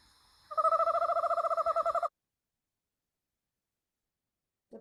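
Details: Eastern screech-owl (Megascops asio), tremolo call: communication between a mated pair.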